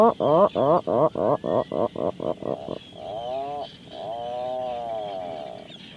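Atlantic puffin giving a quick run of about a dozen low, throaty grunts, then long, drawn-out groaning moans, with faint background noise.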